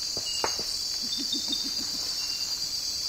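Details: A pair of spectacled owls, a large tropical forest owl, giving a quick, even run of about six low, knocking hoots over a loud, steady high-pitched insect chorus.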